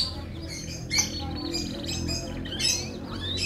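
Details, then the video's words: Canary labelled F1 singing short high trills and slurred notes, broken into bursts with brief pauses, over a prominent low droning hum. "KICAU MERDU KENARI F1"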